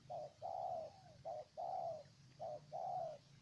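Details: Spotted dove of Ninh Thuận, Vietnam, cooing three times in steady rhythm, each time a brief note then a longer gently falling coo, over a low constant hum.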